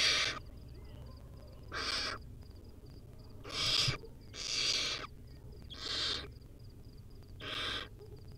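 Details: Wild barn owlet recorded by a nest camera while eating a rodent: six rasping hisses at uneven intervals over eight seconds, some short, some longer, over soft background noise and faint high ticks.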